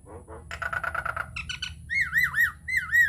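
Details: Nias hill myna lure recording for coaxing other mynas to sing: two low notes, a quick rasping chatter, then loud, rich swooping whistles rising and dipping in a wavy sequence.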